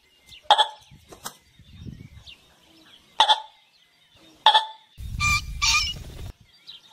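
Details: A golden pheasant gives a call described as asking to mate: sharp, harsh, rasping calls in short bursts a few seconds apart. A louder broadband squawk comes near the end, and a low rumbling noise runs underneath.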